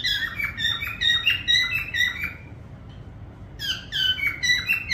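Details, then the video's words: Parrot whistles in quick runs of downward-bending, harmonic notes, about two per second. A short break comes before a second run, and a steady low rumble sits beneath. "parrot sound whistling"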